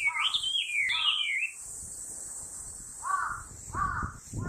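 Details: A Chinese hwamei sings on 7 August 2020, giving loud, rich whistled phrases that swoop up and down, then a few lower slurred notes, over a steady high insect hiss.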